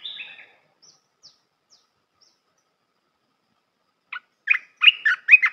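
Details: Red-whiskered bulbul song for training young birds: a short warbled phrase fades out, followed by quiet faint ticks and then a fresh run of sharp, rising chirps building into song.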